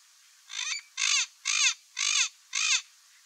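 Turquoise-fronted parrot giving five harsh, raspy squawks, about one every half second, each a loud grating burst with a falling edge; no other sounds.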